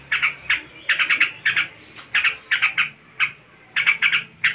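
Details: A yellow-vented bulbul sings in its distinctive "ngebren" style: quick, bubbly bursts of two to four rich notes, repeated every half second or so, over a faint low hum.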